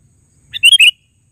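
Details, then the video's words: Sooty-headed bulbul giving a single quick bubbly phrase of three liquid chirps, clear against a quiet background. "Suara Burung KUTILANG GACOR Panggilan Suara Asli"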